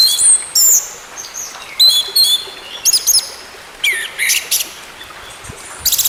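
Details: Orange-headed thrush song for getting a bird that has gone quiet to sing again. Brief high whistled notes and buzzy chirps come in separate short phrases with gaps of quiet.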